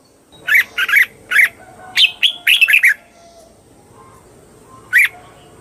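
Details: Red-whiskered bulbul giving bubbly phrases: three separate chirped notes, then a fast cluster of rolling whistles, and after a two-second gap a single sharp note.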